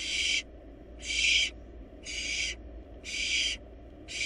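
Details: Wild barn owl nestlings in a research-monitored nest box, devouring and swallowing a large rabbit; harsh, breathy hissing bursts of about half a second each, repeated roughly once per second, with steady low background hum.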